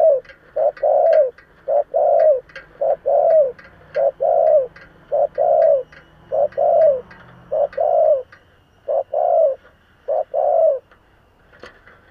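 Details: Decoy spotted dove in 'giọng thổ' voice giving a rapid run of cooing notes, about a dozen short bursts close together with faint clicks and taps in the background.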